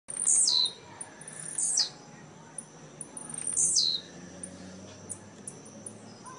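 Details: Caged blue-black grassquits at a singing tournament in Jacarepaguá, Rio de Janeiro, Brazil, 18 November 2017; very high buzzy 'tiziu' notes sweeping downward, three bursts with faint ticks between.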